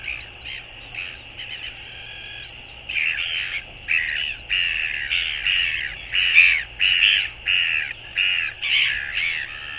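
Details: Recorded 24 January 2022, a northern royal albatross utters quick, rhythmic, grating croaks that start softly and grow louder and faster, about ninety per minute, with steady background hiss.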